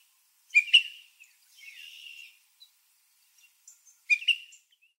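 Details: Baltimore oriole at a backyard feeding spot stocked with grape jelly; sharp chirped note pairs, a soft raspy stretch, then another pair of bright chips, in quiet surroundings.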